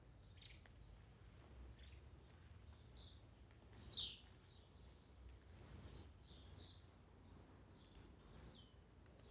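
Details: Blue-black grassquit songs used as a warm-up recording to excite a kept bird: scattered short buzzy notes sweeping steeply downward from high pitch, two louder ones near the middle, fainter calls around them over a low hum.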